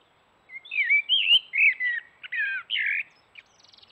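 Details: Male common blackbird singing in the morning by a forest watering hole: a run of warbled, fluty phrases for about two and a half seconds, ending in a few thin squeaky notes, with a single sharp click partway through.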